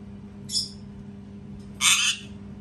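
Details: A parrot screams: a short, thin, shrill squawk, then a louder, longer rasping screech a little over a second later, against a faint steady hum.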